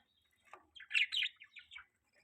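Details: Budgerigar chattering quietly: a short warbled string of twittering chirps, a louder rasping pair in the middle, then a few fading notes, with nothing else heard.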